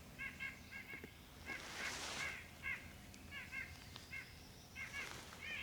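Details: A White-breasted Nuthatch, high atop a tree at Great Dismal Swamp National Wildlife Refuge on an early summer morning, gives nasal, honking 'yank' notes in quick bursts of two to four, apparently upset about something, over soft hiss.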